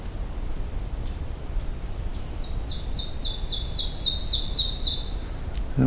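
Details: In a boggy fen-like wetland on a warming May morning, an Ovenbird sings a rapid string of high, ringing teacher-teacher phrases that swell in crescendo over about three seconds, over low wind, with a Black-throated Green Warbler ticking nearby.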